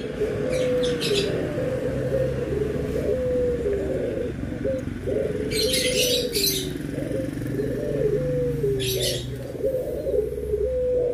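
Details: Barbary doves, white and brown birds compared, giving low, rolling coos that slur downward. Several phrases overlap in steady succession, with brief high chirps from other birds and a constant low hum behind.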